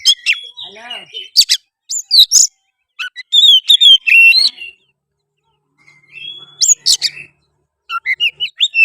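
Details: Oriental magpie-robin song played to provoke another bird into singing, fighting and tail-spreading: loud varied whistles, rising and falling slurs, sharp chips and trilled notes in bursts separated by short pauses.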